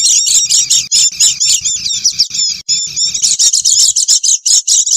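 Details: Oriental white-eyes chattering noisily, played as a lure for wild birds: rapid high twittering notes in quick bursts about five per second, several voices overlapping, with a low thumping hum under the first part.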